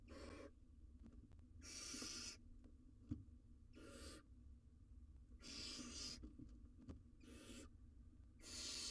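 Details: Wild barn owl owlet on a live cam, trying to eat an oversized jird. A run of six rasping hisses, some short and some longer, irregularly spaced over nine seconds, with a sharp click midway.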